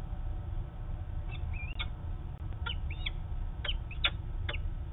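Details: Peregrine falcon female going up to the roof, Manchester, New Hampshire, 13 August 2018; a few clipped chirps and slurred two-part whistles come in brief bursts over heavy low-pitched background hum.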